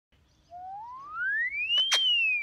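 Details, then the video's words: A male Indian ringneck (rose-ringed parakeet) mimics an ambulance siren, learned after about 10 days of whistling it to him: one pure whistle climbing steadily for over a second, then sliding back down, with two short harsh bursts near the peak. "Indian Ringneck impersonating ambulance siren"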